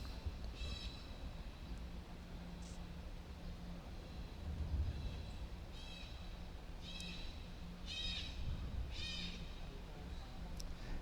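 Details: Distant sulphur-crested cockatoo, an introduced species in Hong Kong descended from escaped pets, squawking as it flies over a cricket club: several harsh, raspy screeches spaced a second or more apart over a steady low hum.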